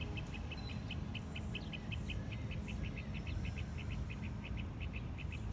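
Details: Northern mockingbird in Massachusetts giving a fast, evenly spaced series of short bright chips, about four per second, held steadily for over five seconds above a low background rumble like distant traffic.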